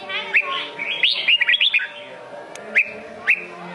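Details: Red-whiskered bulbul in Sông Kôn style: a rapid run of five or six chirpy whistles, then a pause and two lone rising whistled notes, with background clicks and a low hum.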